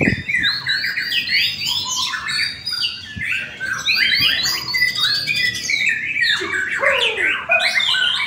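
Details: White-rumped shama singing at an Indonesian latber practice contest. A dense, loud stream of whistled and chattering phrases sweeps up and down, with several birds overlapping throughout.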